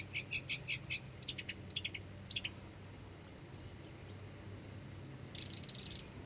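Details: Northern mockingbird singing: a fast series of short, sharp repeated chirps in small clusters over the first two and a half seconds, then a pause and a faint buzzy burst near the end.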